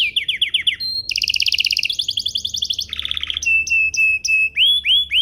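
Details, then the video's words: Canary lure song meant to set other canaries singing: quick repeated chirps lead into fast rolling trills, a lower buzzy roll, then evenly spaced clear whistled notes and rising slurs. "Pancingan Burung Kenari agar CEPAT BUNYI, terbukti ampuh bikin burung kenari lain nyaut"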